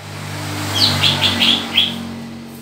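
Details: Green leafbird during pairing gives five short, high chirps in quick succession over a loud, steady low hum and hiss.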